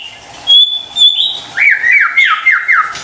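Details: White-rumped shama lure song to make a silent bird sing: long steady high whistles, then a quick series of four or five downward-sliding whistled notes.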